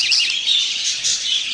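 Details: Young budgerigar chicks from a pair's first clutch give a continuous, high, raspy chatter of overlapping peeps.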